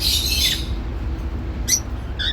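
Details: A pet cockatiel, busy grooming and making happy sounds, gives a burst of scratchy chatter followed by two short, bright chirps, a contented sound.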